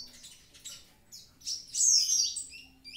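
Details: Javan pied starling singing actively: soft scratchy twittering builds into a loud, harsh, wavering high phrase of slurred whistles, ending with short rising chirps over a faint low hum.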